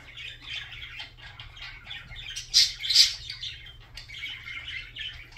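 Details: Budgerigar song: continuous scratchy chattering warble with a couple of louder sharp squawks near the middle, over a faint low hum.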